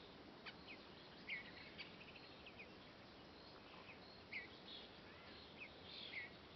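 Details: Western bluebird parents call to a nestling in a nest box, coaxing its first flight: soft, short, slurred call notes, about three spaced a few seconds apart, with fainter chirps over a steady outdoor hiss.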